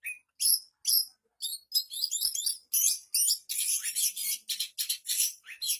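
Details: Long-tailed Shrike singing energetically with plenty of borrowed phrases from other birds: short squeaky notes at first, then a rapid stream of harsh, dense, high chattering.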